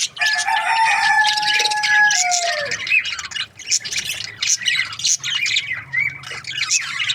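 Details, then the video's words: Opening with a sustained, drawn-out whining tone of nearly three seconds that dips at the end, followed by scratchy, rapid chirping from budgerigar breeding pairs. "Amazing budgie chirping sound | breeding pairs"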